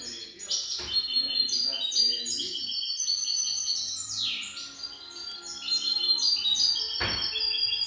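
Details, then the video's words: Young European goldfinch singing: dense, rapid high twittering with tinkling trills and buzzy notes, several short bursts and a sharp downward sweep near the middle, a steady low hum underneath. "jilguero novel cante"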